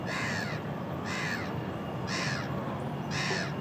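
A gull gives four harsh, hoarse calls, one about every second, each slightly arched in pitch, over steady low rumbling background noise.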